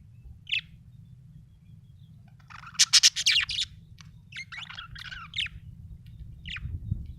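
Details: Budgerigar chirping and chattering: a single chirp, then a loud burst of rapid harsh pulses followed by a string of scratchy warbled notes and occasional chirps over a low hum.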